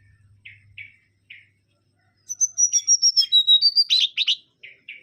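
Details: Mangrove whistler (kancilan bakau) with three short buzzy notes, a pause, then a fast string of clear whistled notes descending in pitch, ending in harsh buzzy notes; faint low hum at the start.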